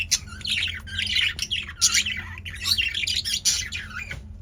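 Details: Lively caged male budgies keep up a steady chattering warble of chirps, buzzes and short squawks, with a few sharp clicks and a soft low hum.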